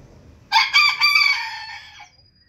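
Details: A booted bantam rooster gives a single full crow, bright and harmonic, starting with two short clipped syllables and stretching into a long steady note that fades out over about one and a half seconds.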